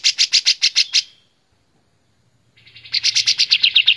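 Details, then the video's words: White-shouldered triller singing for songbird training, loud and clear: a rapid burst of about seven sharp repeated notes, a silent gap of over a second, then a rising, accelerating trill of similar notes. "Masteran KAPAS TEMBAK Paling Di Cari Suara Keras Jernih || Kapas Tembak Gacor Durasi Lama"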